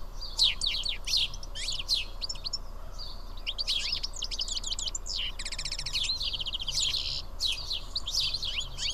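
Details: House sparrows feeding as a group at Karyotissa, Greece, make a busy chorus of overlapping chirps and rapid chattering trills, several birds calling at once with barely a pause.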